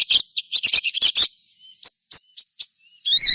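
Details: Sogon song meant to set off other sogons: a fast cluster of high chirps, a pause, four short separate whistled notes, then a loud buzzy trill.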